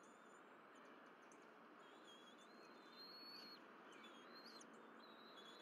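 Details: At a Berry College nest, 12 April 2023, a bald eagle family shares fish brought by the mother. Piercing whistled notes with harmonics, some short and chittering, others drawn out and upward-sliding, calling steadily against a constant hiss.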